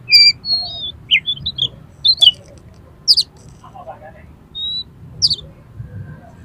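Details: Oriental magpie-robin in an aggressive, excited state, sung to trigger other magpie-robins into opening their tails: bright whistled phrases, a long steady whistle, downslurred notes and piercing high buzzes, quiet hum beneath.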